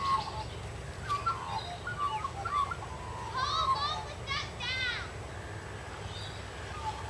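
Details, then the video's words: Australian magpies socializing in suburban Sydney trees: a run of clear warbled and whistled notes, then rapid stacked, harsh rising-and-falling phrases in the middle, fading back to soft tonal notes. "Socializing magpies"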